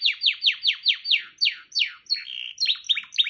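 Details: Singing canary delivering about nine evenly spaced downward-swept whistles, then a short burst of flatter, chattering notes at a similar high pitch.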